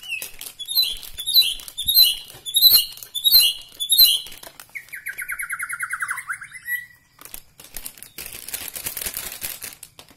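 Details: White-rumped shama from Bahorok, Medan, delivering rapid repeated high chattering phrases, then a long buzzy descending trill, followed by harsh hissing noise.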